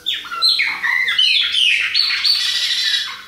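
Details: Chopi blackbird of the Bahia type, with a young bird mentioned. Dense, loud song of overlapping whistles steps down then rises, with rich, slightly harsh tones running almost without pause.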